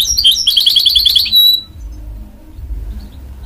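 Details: Goldfinch-canary hybrid, a mule bred from a goldfinch and a canary, sings a fast run of high twittering notes rising to about four notes per beat, ending on a short clear whistle before quiet low hum.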